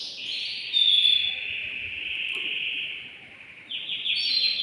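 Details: Male canary in a cage, excited and singing to stimulate a hen for mating. A long, continuous rolling trill holds at one pitch over a steady background hiss, briefly swelling louder before a new trill starts.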